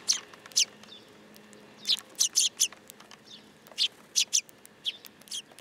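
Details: Sparrows landing on a person's hand at a shrine in Japan, 8 July 2022, uttering quick bursts of high, rough chirps in irregular clusters over low background hum.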